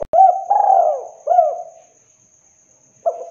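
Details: Spotted dove, a female calling a male, used as a lure: soft low hollow coos in a short phrase of three notes, the middle one drawn out, then a pause and another note.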